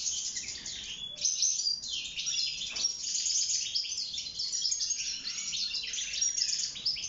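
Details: Caged wild goldfinch singing during mating and nest building, pouring out an unbroken stream of bright, high twittering notes mixed with short buzzes and thin whistles.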